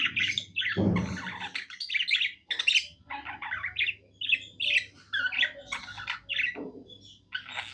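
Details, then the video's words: Happy pet budgerigar warbling indoors: a continuous chatter of scratchy squawks, clicks and short buzzy notes in irregular bursts, with one louder harsh note near the start. "Happy budgie singing"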